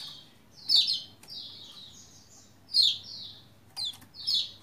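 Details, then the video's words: Lombok white-eye singing, used to stimulate other white-eyes into song: high, thin, sweeping phrases falling in pitch, some sharp downward chirps, delivered in separate bursts with short pauses between them. "Merangsang Pleci Lombok Gacor Bikin yang Lain Bunyi"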